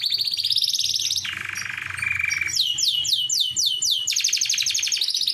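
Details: Canary song used as a lure to draw a female canary, loud and fast: long trills of repeated notes, a lower steady rolling trill, then rapid descending sweeps before high ringing trills resume.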